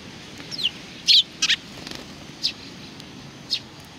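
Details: Sparrows greeting their visitor, recorded 27 July 2020: short, bright chirps, some sliding downward, given in scattered bursts with a pair of louder chirps near the middle, over a faint steady background hiss.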